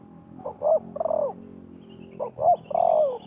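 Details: Spotted dove calling in a contest between a wild bird and a decoy at a trapping site. Two phrases of clipped coos, each ending in a long, downward-sliding hoot, with a faint high chirp from another bird.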